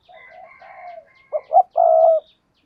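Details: Decoy spotted dove from Vietnam, used for luring wild doves. Higher wavering notes open the clip, then the coo: two short punchy notes followed by one long, even, low coo.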